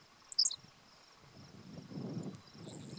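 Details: Pennsylvania grassland at State Game Lands 100, 1 June 2015: a hidden Henslow's sparrow on the ground gives one quick, high, jerky double note near the start, followed by low rustling noise and a steady high insect drone.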